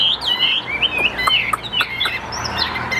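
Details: Calm-tempered caged hwamei, Tam Hoàng variety, sings smooth gliding whistles rising and falling, punctuated by a few sharp clicks, a low hum in the background.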